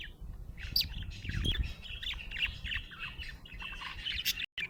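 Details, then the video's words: Budgerigar in a happy mood, giving a busy stream of chirps, squeaky notes and buzzy warbles with a few sharp clicks, over low background rumble and a brief dropout near the end. "Happy budgie chirping sound"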